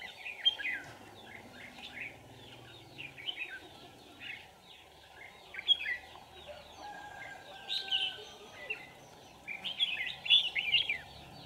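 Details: Red-whiskered bulbul recorded during trapping of wild birds with a decoy on 27 November 2018. Short bright chirps and warbled notes repeat in bursts over a steady background hiss.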